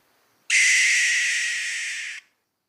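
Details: Single prolonged barn owl alarm call, a hoarse hissing screech lasting about one and three-quarter seconds that tapers a little before stopping abruptly, in silence.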